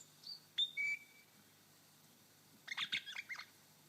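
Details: Male superb lyrebird on his dancing mound in Sherbrooke Forest Park, Victoria, mimicking a crimson rosella: a clear whistled note sliding into a lower, held bell-like tone, then a quick burst of bright chattering notes.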